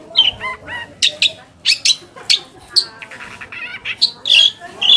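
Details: Long-tailed shrike song used as a lure to make other shrikes answer and sing: a busy, varied medley of scratchy bursts, quick warbled notes and sharp high chips with brief pauses between them.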